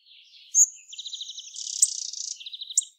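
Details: Hawfinch (Coccothraustes coccothraustes): a loud high tick, then a buzzy, rapidly stuttering rattle of thin notes lasting over a second, ending in a shorter trill and a final click.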